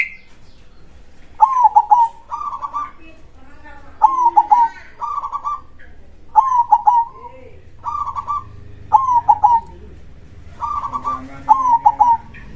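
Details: Zebra dove in loud, steady krosing song: paired phrases, a sharp rolling coo then a softer bubbling echo, repeated regularly about every two and a half seconds, seven times.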